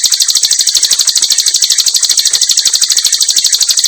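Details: A common nightingale in a simple aviary delivers a continuous rapid, high, buzzy rattle at an even rhythm, very dense 'tembakan' phrasing, with no other sounds.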